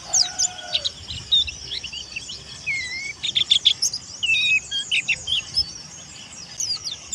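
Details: White-eye of the 'dakun wilis' type calling rivals: softer, scattered high chirps and short twittering bursts, with a few lower drawn-out whistles mixed in over a faint background hiss.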